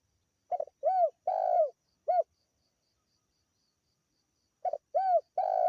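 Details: Local spotted dove used as a lure to attract birds, calling loudly and clearly: two phrases of low hooting coos, each a short note, a smooth arched coo, a longer rolling coo and a short closing coo, separated by silence.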